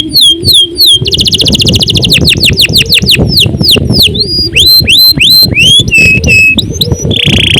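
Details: Singing canary delivering long gacor song: looping whistles, a fast rattle, a string of downward-swept notes and rising slurs, ending in a buzzy trill, over a steady low rumble.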